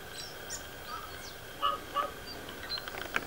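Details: A Tui sings a few short, clear, bell-like notes in the middle range, mixed with higher squeaks and clicks, over a steady background hiss.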